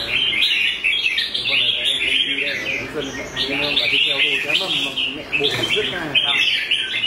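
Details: Red-whiskered bulbul singing competitively, trained to sing in contest: continuous bright, jumbled high chirps and warbles over steady background music with humming tones.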